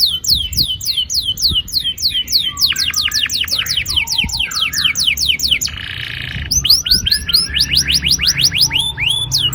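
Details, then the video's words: Canary song to encourage young canaries to sing: continuous rapid series of sharp down-slurred whistles, a short buzzy trill mid-way, then more fast repeated sweeping notes. "Pancingan kenari gacor NGEROL PANJANG AMPUH cocok bikin BURUNG KENARI PAUD GACOR LANGSUNG"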